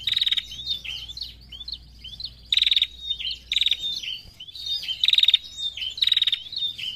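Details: Female prinia giving its vigorous narung-style call: short buzzy rattling bursts near a steady high pitch, about every one to two seconds, mixed with quick rising and falling chirps and twittering notes in between.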